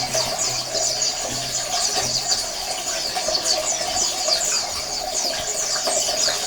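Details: Many Oriental white-eyes chatter together as a colony sound meant to prompt silent males to sing, producing an unbroken wash of sharp, high twittering notes over a faint watery background.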